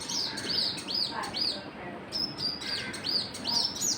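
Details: High bird chirps, each a quick rising-then-falling note, given in uneven bursts with short gaps, over low ambient noise.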